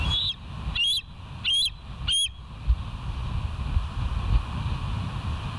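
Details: Bald eagle at the West End nest, recorded by a live nature cam on 18 August 2023 at 06:50; four sharp, high whistled chittering notes, each slightly rising, spaced about half a second apart, over steady low wind rumble.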